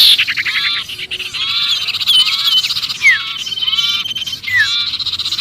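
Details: Sirpu in alarm as if stuck, a call for luring other birds: repeated bursts of buzzy, nasal chattering with thin high whistles and several falling squeaks.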